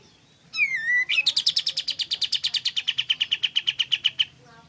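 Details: Pied fantail in full song, used to stir other pied fantails into singing: one loud falling slurred note, then a long rapid run of about 25 evenly spaced high pulses, slowly dropping in pitch before stopping.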